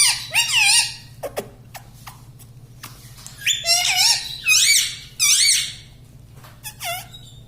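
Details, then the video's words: Pet talking parrot, said to speak words such as "mummy", in a small room: clustered harsh, warbling syllables with bending pitch, several in quick sequence, separated by dry clicks over a constant low hum. "Tota Tota mitthu mitthu - Bolne wala tota - tota talk - mummy bolne wala mitthu - talking parrot"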